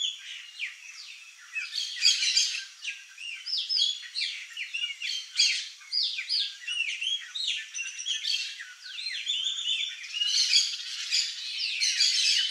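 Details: A flock of chopi blackbirds (Gnorimopsar chopi) at a feeder chatters loudly, mixing liquid whistles, chirps and sharp squeaky notes.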